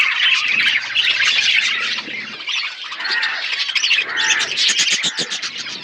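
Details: Aviary budgerigars in a forest environment give a busy flock chatter of scratchy warbles, harsh squawks and quick chirps, briefly easing off midway before rising again into rapid, overlapping twitters.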